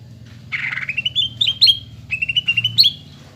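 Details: Singing greater green leafbird, meant to be copied by young birds so they sing readily: a harsh buzzy note, then jumpy whistled notes rising and dipping, followed by a second quick series of bright whistles.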